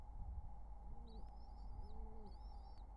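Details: Wild pigeon courtship at the nest beside nestlings, summer 2023: two faint low arched coos under long high wavering squeaks, with a steady mechanical hum.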